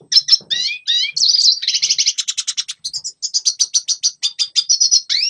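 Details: A red siskin's training song for young birds: downslurred twittered notes at first, then a dense buzzy trill, followed by a steady series of sharp high chirps repeated at a brisk, even pace.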